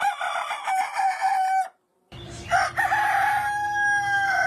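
An Aseel rooster crows a long, drawn-out cock-a-doodle-doo in two bursts broken by a brief silence, the second ending in a sustained, wavering note.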